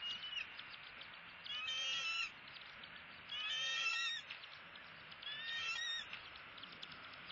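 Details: Bald eagles at their nest in Southwest Florida during a close-up feeding at sunrise, 6 February 2016. Three bursts of high, chittering, harmonic calls, each lasting about a second and repeating every two seconds, over a steady background hiss.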